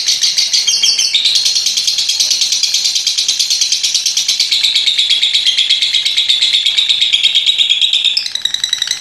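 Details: Long ngekek chatter from a paud lovebird: an unbroken rattle of rapid, harsh high-pitched pulses for about eight seconds, then looser chirping.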